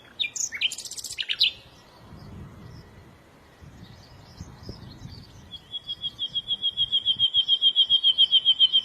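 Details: Bird song starting with a jumble of loud scratchy chirps, a quiet pause with faint twitters, then a long, clear, high trill of fast evenly repeated notes building toward the end.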